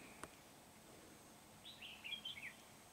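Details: Red-whiskered bulbul recorded during trapping with a lure bird at Núi Đá on 16 February 2019: one faint, short warbled phrase of quick rising and falling notes, with a steady background hiss and a single click just before.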